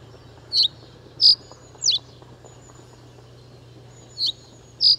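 Reed bunting giving brief, sharp, high chirps, five in five seconds at uneven spacing, over a steady low background hum.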